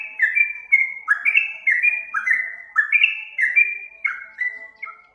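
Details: Yellow-vented bulbul (trucuk) singing for use in training other birds: bright, liquid whistles step down and up in quick pairs, forming a cheerful, continuous chattering phrase.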